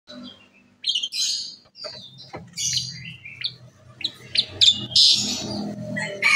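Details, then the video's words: Asian pied starling singing actively, its song said to set other birds calling; a jumble of harsh squeaky notes, hissy bursts and short whistles, with low hum underneath. "jalak suren gacor pembagkit burung lain ikut bersuara"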